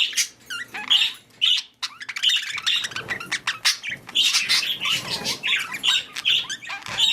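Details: Budgies, or parakeets, breeding: bright squeaky warbles and curling whistles in bursts, interrupted by a pause, then rapid chirping mixed with soft rustling.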